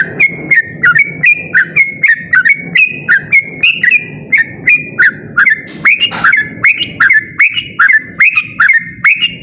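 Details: A yellow-vented bulbul sings a long, persistent, loud 'ropel' phrase of rapid whistled notes with sharp pitch turns. A single brief noisy burst near the middle sits over a low background drone.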